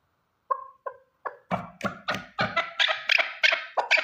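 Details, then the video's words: Single male chukar partridge calling, usable as a hunting lure: a few spaced clucking notes that quicken and grow louder into a rapid, harsh, repeated series of about three notes per second. "Овози кабки нар Голос Куропатка صوت الحجل Partridge's voice صدای کبک"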